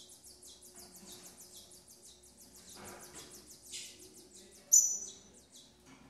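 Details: Female double-collared seedeater tending her chicks. A fast, steady stream of high, scratchy chips runs throughout, with one piercing, clear whistled note cutting in near the end.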